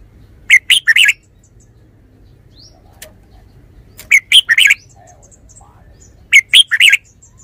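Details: Song of a red-whiskered bulbul: three phrases of quick, lively chirped notes, each a cluster of three or four, spaced roughly every three seconds, with a faint low hum.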